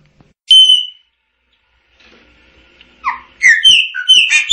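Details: Chopi blackbird song beginning with one loud clear whistle, a quiet pause, then a building series of rich, varied whistled notes.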